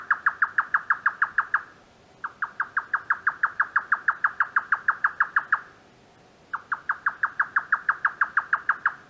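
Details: Indian jungle nightjar (Caprimulgus indicus) calling at night near its nest: fast, knocking 'tuk-tuk-tuk' notes, about eight a second, in three runs of two to three seconds with brief pauses between.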